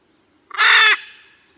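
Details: Blue-and-yellow macaw letting out a single loud, harsh, broadband screech lasting under half a second, strongly harmonic and grating, with a faint high steady hiss before and after.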